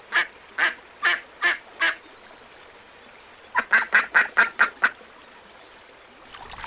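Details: Little ducks give five spaced quacks, then a faster rattling series of seven shorter, sharper ones. A noisy rustle closes the sequence.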